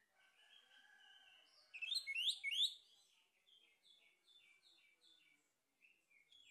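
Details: Male orange-headed thrush lure song: soft sustained warbling leads into a loud cluster of sweeping high whistles, then a series of short, evenly repeated chirped notes, roughly three per second.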